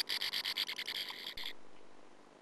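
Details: Sand martin (Riparia riparia) inside a colony nest burrow, recorded by nestcam in 2009 during a persistent intruding female's visits, giving a harsh, dry rasping chatter of about a dozen rapid scratchy notes over a second and a half, then falling quiet.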